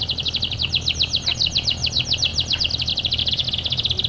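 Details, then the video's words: Energetic canary singing to encourage lazy canaries: one continuous, fast, chattering trill of sharp high notes, slightly uneven in rhythm, over a low background hum. "gunakan kenari gacor ini untuk memancing kenari malas bunyi"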